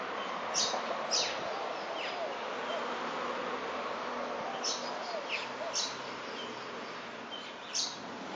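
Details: A silvereye (Zosterops lateralis), recorded 7 June 2011, gives thin, high, down-slurred call notes in scattered pairs every second or few, over a steady hissing background.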